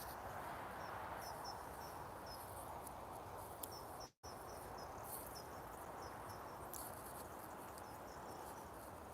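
Long-tailed tits give thin, very high, short calls in loose scattered runs, faint over a steady background rush of wind or outdoor noise.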